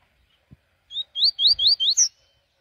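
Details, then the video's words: Double-collared seedeater (coleiro) singing in the morning: a quick phrase of five clear, rising whistled notes ending in a higher slurred note, with soft knocking sounds underneath. "Aquele rolezin da manhã com coleiro"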